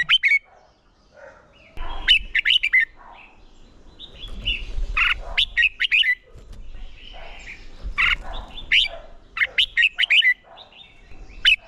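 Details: Red-whiskered bulbul song for training competition singing: lively sequences of crisp whistled and chirped notes in clustered phrases, separated by quieter stretches with soft background rumble.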